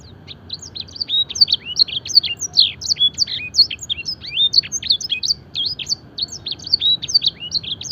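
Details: Fancy canary song used as training material, filled with blackthroat and edel sanger phrases: a fast, continuous run of high whistled and slurred notes, rising and falling sweeps repeated in quick succession, with a faint low hum beneath.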